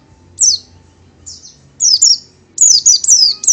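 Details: Oriental white-eye, called Pleci or Kacamata in Indonesia, a small greenish-yellow bird: separate bursts of high, thin, down-slurred twittering notes that come closer together and louder toward the end, with a faint low hum underneath.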